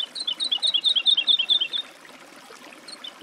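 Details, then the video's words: A single woodlark phrase: a rhythmic string of about a dozen sweet, slurred, falling notes that slowly descends in pitch, followed by quiet with a few soft distant notes. "Голоса птиц. Жаворонок лесной (Lullula arborea)"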